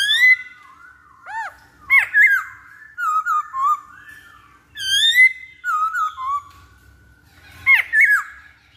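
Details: Masked laughingthrush song used as a lure to prompt other birds to sing: bright, swooping whistles and downslurred notes in short bursts, some sharp and squeaky, repeated every couple of seconds, with a soft background hum.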